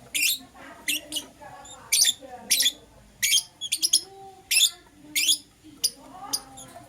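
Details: Green opaline and lutino lovebirds calling in the morning with loud, rasping high chirps, single or in quick pairs, repeated roughly every half second to second.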